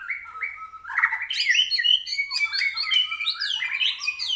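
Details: White-rumped shama singing at a training track, not yet at full excitement: a rich, varied stream of whistled phrases, sliding and trilled notes delivered continuously, with a faint low hum underneath.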